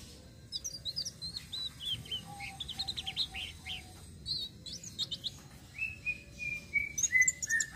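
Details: Rolling flowerpecker song, a lure for other birds: quick strings of high, thin chirps, each dropping in pitch, ending in a run of short even whistles that fall slightly. A low steady hum lies underneath.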